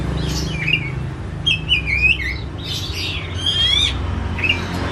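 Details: Home-kept white-rumped shama, agitated and spreading its tail, gives varied whistles, buzzy bursts and a ringing trilled phrase, with a steady low hum throughout.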